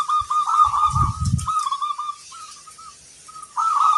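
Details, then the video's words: Zebra dove of local stock in full song with a big 'kung' voice, giving a string of quavering, staccato coos that fade into short notes before a fresh phrase, with a few dull low bumps early on. "Perkutut lokal gacor, gayer suara kung besar"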